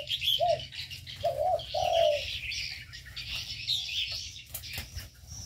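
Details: Birds in an aviary give three short low coos early on. A dense high twittering chorus follows and carries on to the end.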